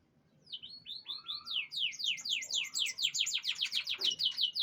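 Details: Canary during a pengembunan (dewing) session: fast rolling trill of high, downward-swept notes that builds in loudness, with a lower whistled phrase early on.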